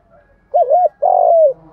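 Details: Spotted dove decoy song for provoking rival males: an undulating coo, then a long rough coo falling at the end, over faint low background hum.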